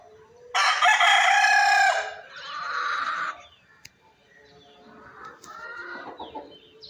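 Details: Rooster gives a loud rasping crow, a strong opening section followed by a lower drawn-out tail, then softer murmuring clucks afterward.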